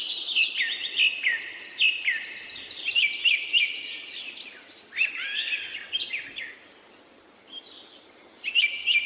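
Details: Lively bird chirping: a fast high trill layered over jumbled warbles and upward-swept whistles, then a quiet pause before a short burst of chirps returns.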